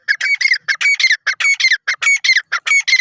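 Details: Grey francolin from Pakistan calling loudly and harshly in quick, grating bursts of several notes each, repeated steadily throughout the three seconds against a quiet background.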